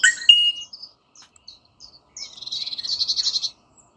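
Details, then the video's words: Rosella making a sharp whistled call and a few soft high chirps, followed by a rapid, buzzy, pulsing chatter. "Different Rosella Bird Sounds"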